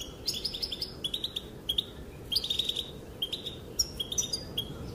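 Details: Calling female European goldfinch, whose voice is said to make males dance; clusters of sharp twittering notes and quick trilled phrases, separated by short gaps, over low steady noise.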